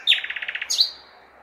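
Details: Common nightingale in a big city on a May night: a quick rattle of about nine evenly spaced notes followed by one rising swept whistle that trails off, with faint city hum.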